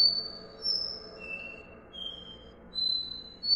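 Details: Short stretch of Copper seedeater "dó ré mi" song: a few pure, high whistled notes, a long held tone followed by lower notes rising again, evenly spaced.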